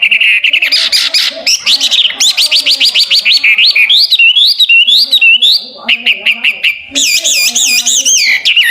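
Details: Chinese hwamei (Garrulax canorus) song: loud, rich whistled phrases, fast repeated upslurred notes and swooping rising-and-falling whistles, delivered in bright, varied bursts with no other sounds.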